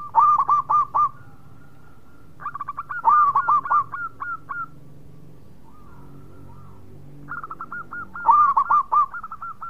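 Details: Local zebra dove singing actively, giving three separate phrases of rapid, hooked cooing notes spaced by pauses, with a faint low hum underneath.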